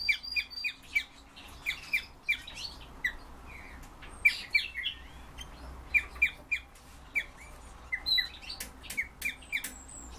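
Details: European bee-eaters calling: repeated short rolling, liquid trilled notes, often in pairs or small clusters, several birds overlapping at irregular intervals, with a few sharper clicks and faint background hiss.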